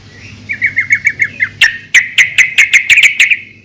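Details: A female yellow-vented bulbul calls the male, a sound used to get bulbuls singing: soft slurred chirps build into sharp, clicking notes repeated about four times a second.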